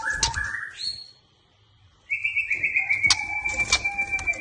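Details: White-rumped shama giving a short rising whistle, then near silence, then a long steady high whistle held for over two seconds with sharp clicks and chips layered over it.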